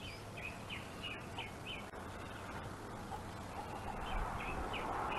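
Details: Wild bald eagle at its Gabriola island nest with prey, an adult mantling while a juvenile waits its turn; a steady run of short, high, slightly descending piping notes, several each second, partly buried under broad wind-like noise.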